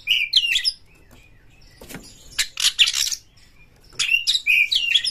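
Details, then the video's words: Oriental magpie-robin in fast song used to stir other magpie-robins to sing: bright warbled whistles at the start and end, with harsh noisy rasping bursts and rustling in the middle. "pancing KACER sampai GACOR NGEPLONG BONGKAR ISIAN BUKA EKOR suara cepat Naikan EMOSI KACER Anda"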